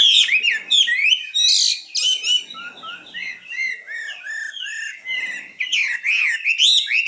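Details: Common nightingale in full song: rich, rapidly varied phrases of whistles, trills and sharp chirps, high-pitched and delivered in quick bursts with brief pauses, a faint low rustle underneath.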